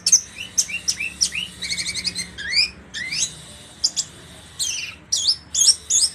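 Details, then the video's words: Orange-headed thrush singing trotol: busy, varied phrases of sharp high notes, a fast rattling run, upslurred and looping whistles, with brief gaps between outbursts. "anis merah trotol jahat"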